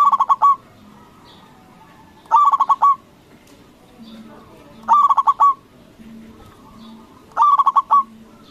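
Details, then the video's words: A loud-voiced local zebra dove calls to provoke other doves to answer. Four bursts of quick, throaty cooing notes repeat at an even pace of about one every two and a half seconds against a quiet background. "Perkutut lokal Gacor Suara BESAR bikin Cepat Emosi Lawan Auto Nyaut Seketika"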